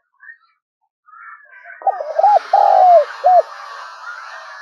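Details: A spotted dove lure bird calling to provoke wild doves delivers one low cooing phrase, a stuttered run, a long descending note and a clipped final coo, over a steady hissing, rustling background.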